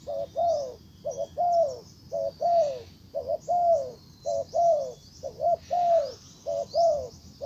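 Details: Spotted dove used as a decoy, calling to lure a wild bird in. Low, mellow coos in steady phrases, each a short double note followed by a longer falling coo, about one per second. Faint high chirps from other birds sound behind.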